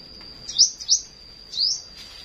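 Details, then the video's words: Flowerpecker in the morning giving three sharp, very high chirps, each a quick upward flick, the first two close together and the third after a short pause, with a steady faint high whine behind. "Buổi Sáng Google Maps Hệ Thống Nghệ Thuật Đam Mê Chim Sâu Hót"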